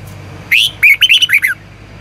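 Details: Red-whiskered bulbul singing a morning training song in the long double twisted style, used as a lure to push other bulbuls to sing: one short call, then a quick run of five loud, warbled, bouncing whistled notes.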